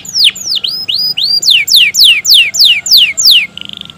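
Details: Canary song used as a lure to stimulate reluctant canaries to sing; a loud series of sweeping notes, first dipping and rising, then steeply falling, repeated about three times a second, ending in a brief rapid trill.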